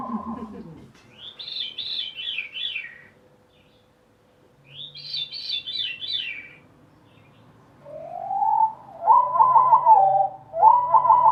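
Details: Thrushes of the wood thrush family singing in backyards, first at normal speed: two brief high, tumbling phrases of quick descending notes; then the song slowed down into lower, drawn-out fluty tones. A man's voice speaks briefly at the start.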